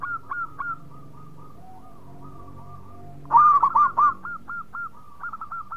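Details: Local zebra dove singing actively. Faint, distant hooked notes drift for three seconds before a loud close phrase of stuttering coos. Quicker hooked notes follow at an even pitch.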